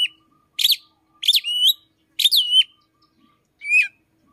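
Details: An Oriental magpie-robin singing at morning, its song said to echo the chim sâu đầu đỏ; four loud, crisp bursts of chirps and swooping whistles, spaced roughly every seven tenths of a second, over a faint steady hum.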